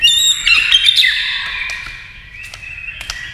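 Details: White-rumped shama singing in competition against a TV, with tail flicking: varied high whistled and chattering phrases, strongest in the first second, then a long fading whistled tone with sharp clicks.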